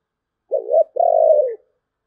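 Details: Cooing of a spotted dove in the 'thổ bầu' voice: a short rising coo followed by a longer, level, gently pulsing coo that fades downward.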